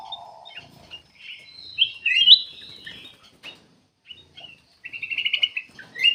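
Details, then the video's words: Black-capped bulbul in full, lively song, used to lure other birds into singing; scattered bright whistled notes and slurs, then a quick pulsed rattling trill, with a low hum at the start. "KUTILANG EMAS \ CUCAK EMAS GACOR FULL GACOR sangat bagus buat pancingan \ pikat"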